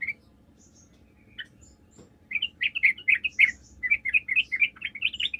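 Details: Sooty-headed bulbul song played to lure other bulbuls into answering: a few scattered chirps, then about three seconds of continuous rapid, bubbly, bouncing notes rising and falling.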